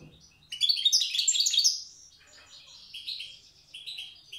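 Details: Tiaret goldfinch performing the old-language wild song: a loud, dense burst of tinkling chatter, followed by softer, evenly repeated twittering notes.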